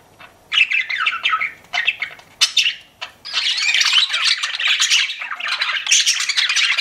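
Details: Budgerigars kept as pets give a few separate warbling chirps, then break into continuous noisy chattering from about three seconds on.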